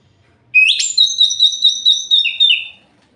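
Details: Orange-headed thrush singing at night to provoke other males: an upward whistled note, a scratchy accent, then a long level piping line of rhythmic pulses, closing with two lower slurred whistles.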